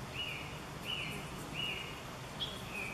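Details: Eurasian three-toed woodpecker recorded in Chvalčov, Czech Republic, in August 2013: thin, high, slightly falling notes repeated about every 0.7 seconds, faint against low rumbling background noise.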